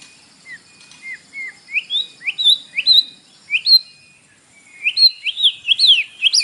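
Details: Captive-provoking morning song of a white-rumped shama with fill-in material: spaced whistled notes that climb in pitch and gain volume, a short pause, then a quicker burst of looping whistles.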